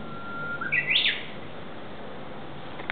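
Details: Japanese bush warbler singing in woodland of the ecology garden in Aoba-no-mori Park: a long steady low whistle that slides upward into a quick, bright rising-and-falling flourish, then quiet background hiss with a faint click near the end.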